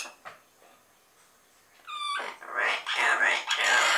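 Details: Double yellow-headed amazon parrots give a short clear whistle that rises and dips, then a run of loud, harsh, raspy squawks lasting about two seconds.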